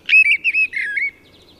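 Mistle thrush song: a short, fluting phrase of four or five clear whistled notes, each wavering slightly and falling at the end, lasting about a second.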